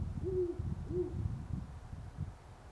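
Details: A great horned owl hoots twice, short deep notes, over a persistent low rumble near sunrise on November 25, 2011, in Parker, Colorado.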